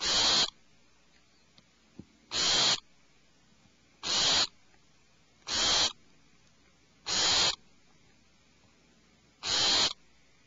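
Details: Six breathy, hissing screeches come from alarmed owlets inside their nest cavity. Each burst is short, and they repeat every one and a half to two seconds in a steady series.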